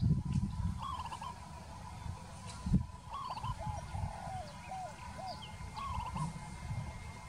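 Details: Peaceful dove repeating bubbly, rolling coo phrases, a run of descending hooked notes in the middle, over a low rumbling background with faint high chirps.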